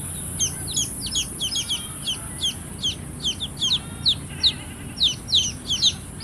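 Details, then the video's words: Cute baby chicks give quick, high, downslurred peeps in rapid overlapping bursts, nearly continuous through the recording over a constant background hiss. "Big Sound of Hen kids (Cute Baby Chicks Chirping Sounds)"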